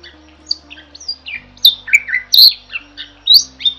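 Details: Starling (jalak) singing gacor for masteran: quiet scattered chirps build into loud, harsh squawks and piercing whistled slurs near the end, varied and irregular, with a steady low electrical hum.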